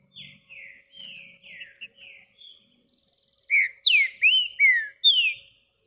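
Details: A Green-winged Saltator sings while perched on a hand: a soft run of slurred, falling whistles, then after a short pause a louder phrase of five rich, descending whistled notes.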